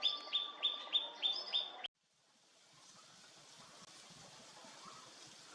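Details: Siberian blue robin (Larvivora cyane) at Vahrit, Khuangthli, Mizoram, song: a quick run of about six bright high identical notes, three per second, then cutting off into faint outdoor hiss.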